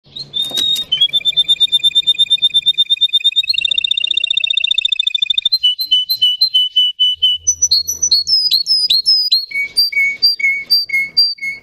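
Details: Russian canary bred for singing, kept as a pet, delivering loud, high song: long rolling trills of rapid repeated notes, shifting pitch between tours, then sharp rising whistled notes and clipped chips, clean and close.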